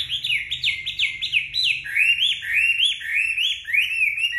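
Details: Chinese hwamei singing after a bath, drying its feathers in the sun: clear, loud whistled notes, steep falling slurs repeated quickly, then a string of rising upslurs about two per second.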